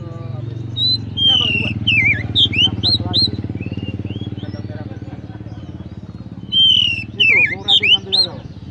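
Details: Oriental magpie-robin (kacer) song of quick whistled and chirping notes in two bursts, rising and falling slurs, over a steady low engine-like hum and faint talking.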